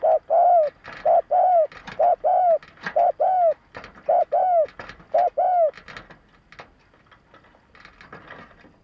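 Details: Spotted dove cooing to lure and excite males: a fast run of short, arched, hollow coos, about a dozen in six seconds, then fading into a quiet background with faint scattered chirps.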